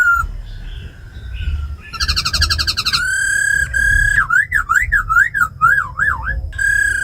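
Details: Captive tame laughingthrush with a female giving ro khẹt calls, a forest-style song used to excite newly caught birds. A rapid trill leads into a long steady whistle, then a wavering, up-and-down warble and a final held note.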